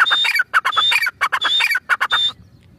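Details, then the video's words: Loud calls of a grey francolin, or teetar: coarse squawking syllables in quick clusters, each marked by a bright high whistle, ending abruptly after about two seconds. "Teetar ki boli | Teetar ki awaaz | gray francolin teetar sound | teetar awaz"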